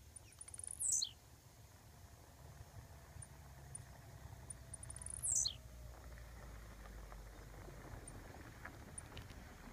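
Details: Wild blue-black grassquit at a roadside fence giving two high, thin, downslurred buzzy notes about four seconds apart, over a steady low rumble of background noise, perhaps distant traffic.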